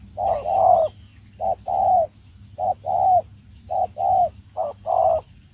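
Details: Spotted dove used as a decoy bird for trapping, giving low hollow coos: a short note and then a longer, slightly falling note, in five paired phrases about a second apart, with a faint hum beneath.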